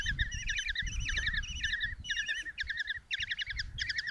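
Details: Five kestrel chicks at a nest box in Tiszalök, Hungary, beg as the mother arrives with a mouse on 27 June 2024; quick wavering trills and clipped note bursts, about two per second, overlap one another.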